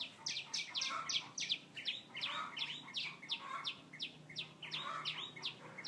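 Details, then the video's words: Birdsong of quick, bright chirps and downward-sweeping notes in rapid series, with softer warbled notes lower underneath and a faint background hum. "Chim hót"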